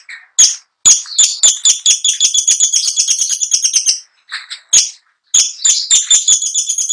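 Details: Long-tailed shrike in nonstop rolling song, delivering long runs of fast, dense chattering trills broken by short pauses, each run packed with high scratchy repeated pulses.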